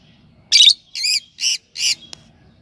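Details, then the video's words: Lovebird making four loud, harsh, buzzy chirps spaced roughly every half second, each dense and high, with a faint click at the end. "love birds voice message sounds chirping sound"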